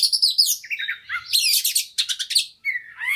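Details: Brief burst of white-rumped shama lure song for a fighter bird: quick high chirps, descending whistles and buzzy trills in tight succession, ending on a lone rising whistle.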